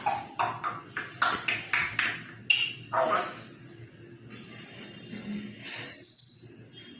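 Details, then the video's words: A grey parrot rattles off a quick string of about nine clipped, speech-like syllables, possibly "how are you", then pauses and gives a bright, high whistle. "Grey parrot ,the rockstar,HOW R U"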